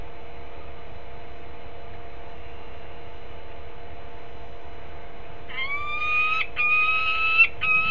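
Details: Peregrine falcon at a nest in Harrisburg, Pennsylvania, on 20 December 2020: after a long hum-filled quiet, a series of sustained whining, slightly rising tonal notes begins, broken by brief gaps.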